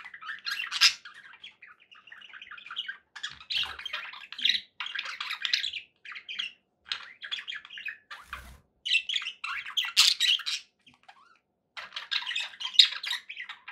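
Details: Long stretch of pet parakeet chatter, soft warbling with sharper chirps and squawky peaks, paused now and then, plus a low thud midway.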